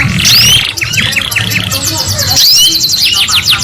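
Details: Female canary chirping, used to prompt silent or reluctant male canaries to sing: thin high chirps, quick buzzy trilled notes and rising whistled sweeps, with steady low background hum throughout.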